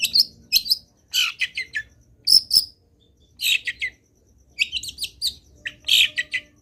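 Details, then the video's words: Lively Long-tailed shrike song packed with fill-in phrases, given as irregular harsh chattering bursts mixed with thin squeaky notes, separated by short pauses. "CENDET GACOR BIKIN BURUNG CENDET LAIN IKUT BUNYI - MASTERAN CENDET GACOR FULL ISIAN"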